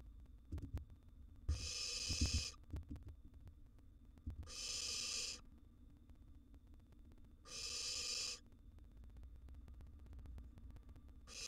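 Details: Wild barn owl nestling in a monitored nest box, during a meal of a huge gerbil it swallows whole; three harsh, broadband hissing bursts of under a second each, spaced about three seconds apart, between soft thumps and rustling.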